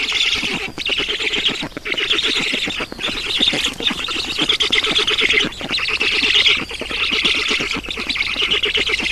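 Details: Black storks at a nest in Estonia on 11 June 2019, during feeding: harsh, wheezy calls run almost without a break and swell and fade in bursts of one to two seconds, with rustling beneath.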